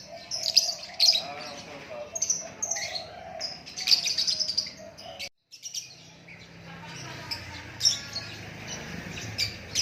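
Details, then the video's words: Murai batu, the white-rumped shama, pouring out a rich stream of whistles and sharp chirps, with a brief pause midway and then quieter warbling over a low hum. "Lakbet super kicauan natural"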